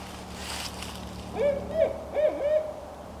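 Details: Barred Owl, one of a family in a Wasaga Beach forest, vocalizing up close while preening, gives a short run of four rich, low hoots, some sliding up and down, in about a second and a half; faint background hum.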